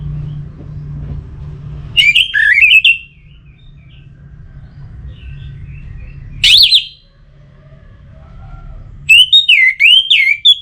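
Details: Orange-headed thrush song played to stimulate birds into singing: three bursts of rapid, warbled, high whistles about four seconds apart, separated by quiet gaps over a low steady hum.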